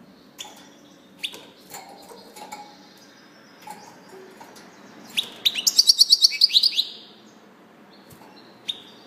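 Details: Scattered soft chirps from a European goldfinch lead into a single bright burst of quick, tinkling, evenly spaced trill notes, then quiet with one last chirp.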